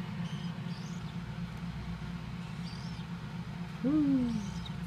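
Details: Captive-reared young tropical screech owls hatched in early July 2014. After a long stretch of steady low droning background noise, one raspy call rises briefly and then slides downward.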